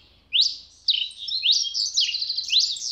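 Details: A Red-crested (Red Pileated) Finch, tico-tico-rei-vermelho of Brazil, sings a quick run of high, thin, sweeping notes that slide downward and blur together for about three seconds.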